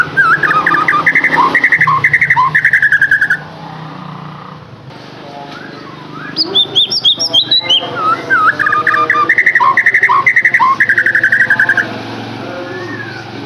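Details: Song played as a lure to stimulate captive white-rumped shamas: fast bright chattering trills broken by lower notes, a brief quiet gap, then high slurred whistles and another rapid rattling phrase.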